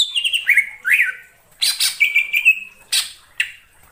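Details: Wild greater green leafbird in the forest giving loud, varied whistles: falling and rising slurs, a long sustained whistled note, and sharp buzzy bursts in between.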